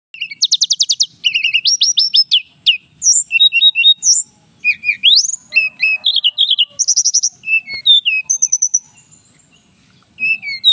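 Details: A male Javan whistling thrush from Mount Merapi sings a long, lively run of high whistles, fast trills and sweeping rising and falling notes, almost without pause.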